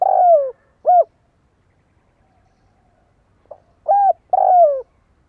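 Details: Spotted dove, a kept lure bird calling to draw in wild doves: two phrases of low, soft coos, a brief pip, then arched hooting notes and a longer falling coo, with a quiet pause between phrases.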